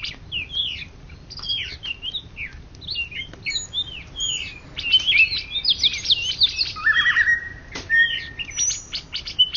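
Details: Greater green leafbird, Indonesia's first-place champion of 2013–2014, singing a long, varied whistled song of looping slurs and quick twitters, ending in a lower buzzy trill and rising whistles.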